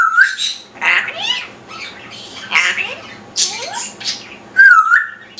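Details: A captive parrot chatters from its perch, mixing loud raspy syllables with rising whistled slides; bursts come roughly every second, with a clear whistle at the start and again near the end, inside a quiet room.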